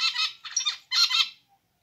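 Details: Zebra finch giving three short, harsh nasal calls in quick succession, each a buzzy burst with stacked overtones, the last ending around one and a half seconds, with a quiet background.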